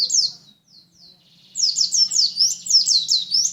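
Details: High, thin chirps from a white-eye of Lumajang, a few scattered notes at first, then a quick run of repeated sliding twitters over a faint low hum.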